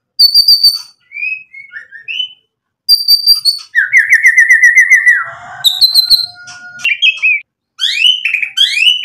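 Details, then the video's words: White-rumped shama singing with borrowed phrases to lure rivals into answering. Separate bursts of high tinkling notes, short whistles, a fast rattling trill and several upslurred notes are divided by brief silences. "MURAI BATU GACOR bikin EMOSI Langsung NYAUT BUNYI BONGKAR MATERI ISIAN ampuh buat PANCINGAN"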